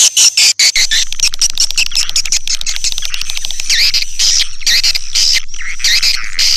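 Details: Swiftlet lure sound, type Sp Bku 7: dense rapid clicks and buzzy chattering twitters packed closely, with a thin steady high whistle tone running underneath almost throughout.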